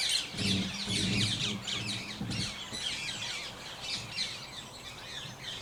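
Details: Introduced Ring-necked Parakeets feeding in a sunflower boundary crop planted for wildlife in Kent, South East England; many shrill screeching calls overlap continuously, with a brief low rumble early on.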